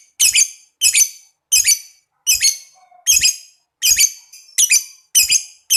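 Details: Lovebird, captive, played to stimulate other lovebirds to trill: harsh, bright squawks in a rough series, roughly one every three-quarters of a second, each a rasping burst with a short tail, in a small room.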